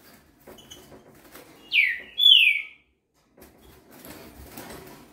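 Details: A young green-winged saltator (Saltator similis), a fast singer said to manage about 21 songs per minute, gives one loud, clear whistled phrase: a high note sweeping downward, then a steadier whistle, with faint rustling after.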